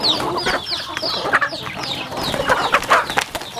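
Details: Rural home chickens feeding: many overlapping thin, falling chirps and murmured clucks form a busy chorus, broken by sharp clicking pecks at the food.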